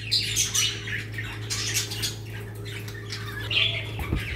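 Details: Pet budgerigars, Australian parrots kept in a breeding colony setup in Pakistan, giving busy high chattering squawks and chirps with overlapping voices, over a steady low electrical hum.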